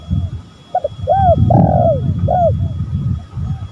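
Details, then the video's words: Spotted dove lure recording featuring male and female birds: one coo phrase of short stuttered notes and a long rolling coo, partly masked by heavy low rumbling noise. "Pancingan tekukur gacor"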